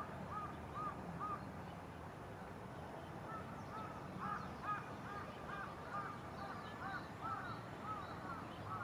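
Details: Carrion crow, parent with chicks, on a cloudy 24 April 2022 in Japan: short, hoarse, arched call notes repeated in quick irregular runs, over a steady low rumble of wind or distant traffic.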